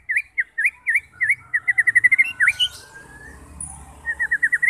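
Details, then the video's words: Song of a white-rumped shama used to draw fighting birds into singing: a fast series of repeated V-shaped whistled notes, speeding into a rapid trill, then a long clear whistle and more quick notes. "90% Cocok untuk memancing SEMUA jenis Murai batu FIGHTER, GACOR dan BONGKAR Isian"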